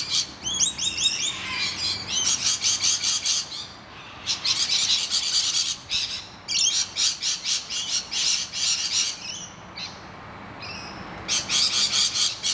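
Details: Rainbow lorikeets screeching at noisy miners attacking their nest hollow: long runs of rapid, grating shrieks with short lulls, plus a few clearer inflected calls at the start.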